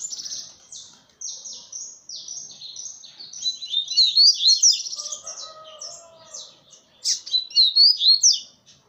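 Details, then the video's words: Double-collared seedeater perched on a hand, singing a fast run of high, sharp chirps and buzzy slurred notes, intensifying in loud bursts toward the end, with a faint lower warble beneath. "PAPA CAPIM CANTANDO NA MAO"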